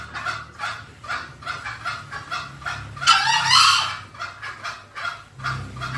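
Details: Luring call of green junglefowl, used so the wild fowl come near. Even, rapid clucking beats lead up to a single loud, rough outburst, then the pulsing resumes.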